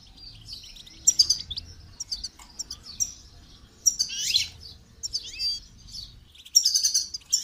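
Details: Goldfinch song recorded for training: clear high twitters broken into short phrases, with downward-sweeping notes and buzzy trills separated by brief pauses.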